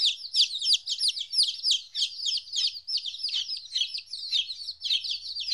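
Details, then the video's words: Baby chickens, 14 days old, away from their mother for the first time, peep loudly and constantly: shrill, falling notes from many chicks crowding together, with a faint low hum beneath. "Chicks Chirping Sounds - Baby Chicken Sounds"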